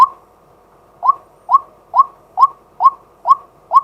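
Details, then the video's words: Daytime call of a male white-breasted waterhen, recorded live from a fixed camera: one note, a pause, then a steady run of seven short upward-sliding kwak notes, about two per second, over a silent background. "เสียงนกกวัก ตัวผู้ ต่อกลางวัน"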